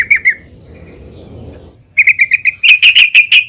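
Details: Yellow-vented bulbul female calling the male, used to encourage singing; two short chirps, a quiet gap, then a quickening series of sharp repeated notes growing louder.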